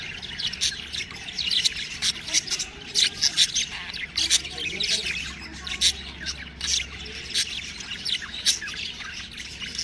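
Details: Budgerigar chicks chirping: a busy, overlapping flock chatter of short high chirps and squawky notes, rising and falling in loudness throughout, with a faint low hum underneath.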